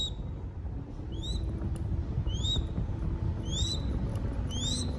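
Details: Young crested goshawk chick being hand-fed in Cambodia, calling with sharp upslurred whistled squeals, each rising quickly with bright overtones, repeated about once a second over a steady low rumble of background noise.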